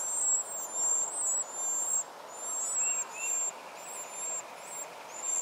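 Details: Four hungry wren chicks begging while being fed by their mother and father: very high, thin, squeaky calls repeated rapidly in overlapping bursts, with a couple of fainter lower chirps midway and a constant background hiss.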